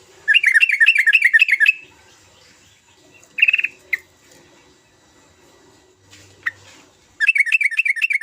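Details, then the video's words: Yellow-vented bulbul in bursts of rapid, bubbly chattering notes, about four a second, with a few short single calls between bursts. "Kicau trucukan gacor"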